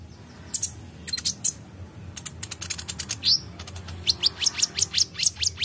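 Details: Kolibri ninja sunbird in full song: scattered sharp high ticks build into a rapid chattering series, ending in a string of evenly repeated thin, downslurred whistled notes, several per second.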